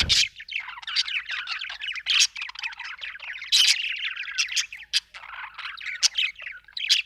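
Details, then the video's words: A budgie chatters nonstop, a dense run of buzzy warbling notes and sharp clicks with occasional louder squeaky bursts every second or so. "budgie chirping sound"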